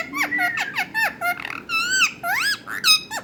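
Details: Talking parrot indoors giving a rapid string of squeaky, harmonic, speech-like syllables, some bending up and down in pitch, with a few smoother drawn-out whistled notes and almost no background noise.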